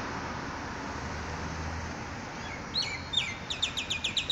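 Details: Morning birdsong: after a steady low background hum, a bird opens with a long high whistled note, then a rapid run of short, sharp, descending chirps repeated about three times a second.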